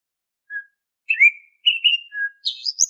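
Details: Whistled kacer (Oriental magpie-robin) song, used to prompt untrained caged birds into singing. A lone low whistle, then slurred and doubled whistled notes at steady pitch, closing with a burst of higher, rapid twittering notes. Quiet background.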